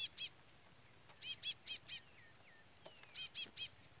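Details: Constant peeping from a chestnut-bellied seed finch chick beside a non-singing brown-plumaged curió: rasping, harmonic-rich chips in bursts of two to four, each burst roughly a second apart, plus faint thin slurred whistles between.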